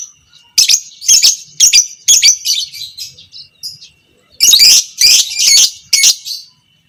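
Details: Fighter lovebird sound used to train other lovebirds to chatter long: two bouts of loud buzzy harsh high notes, about two per second, separated by a brief pause.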